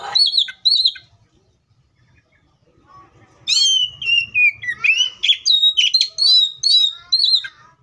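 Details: Oriental magpie-robin singing in the wild: two brief whistles, a pause, then a long descending whistle leading into a rapid string of varied chirps and sweet whistled notes.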